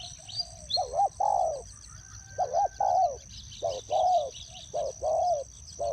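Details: Spotted dove used as a decoy bird in a ground trap, giving deep, mellow cooing phrases in paired and triple notes, repeating roughly once per second with short pauses, over a steady high insect-like whine and faint rural background.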